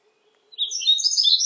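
Yellow-throated Bunting: a brief burst of thin, high twittering notes that slide and overlap for about a second, after a faint low hum.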